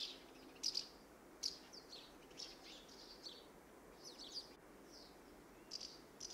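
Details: House martins calling while flying about their nest site in the UK: sharp little chirrups in ones and twos, separated by short pauses, over faint outdoor background noise.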